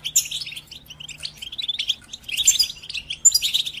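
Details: Goldfinch song used to train other birds: high, liquid twitters and chirps in loose phrases, a short lull, then two brighter bursts of rapid tinkling notes near the end.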